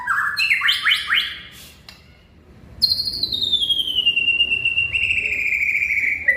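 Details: Song of a white-rumped shama: quick rising rippled notes, a brief pause, then a long pure whistle sliding slowly downward and held, ending with a short upturn.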